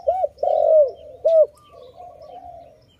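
A dove gives low, hollow, arching coos: three strong rounded notes in quick succession, then a softer, drawn-out trailing coo.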